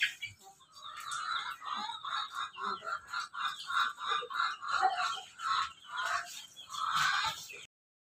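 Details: A Pelung × Bangkok cross-bred rooster crows in the morning while basking in the sun, giving a long run of quick, repeated, laughing syllables.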